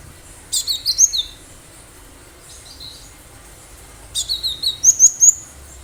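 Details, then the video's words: Cinereous tit in natural wild voice, meant to prompt other birds to answer: two phrases of four to six thin, high, slurred notes, with a softer fragment between them and a quiet backdrop. "Gelatik batu gacor suara asli liaran"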